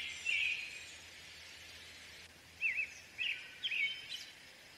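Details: American robin giving a single caroled phrase, a pause, then three quick rising and falling whistled phrases, against soft environmental noise.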